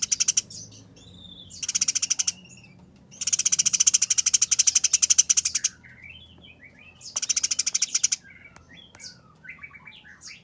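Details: Rough, speedy 'nyerecet' chatter from fighting Eurasian tree sparrows: four rattling bursts of dense pulses, the longest over two seconds, with thin descending whistles and squeaks between.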